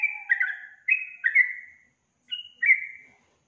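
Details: Yellow-vented bulbul in vigorous song, two bursts of liquid whistled notes that slide downward, separated by a short pause, with a faint lower tone under the first notes.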